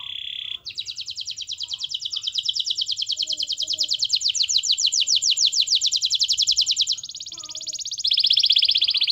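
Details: Canary song used as a master recording to prompt other canaries to sing: long fast rattling trills of rapidly repeated high notes, then steady buzzy high trills, continuous and loud with no other sounds.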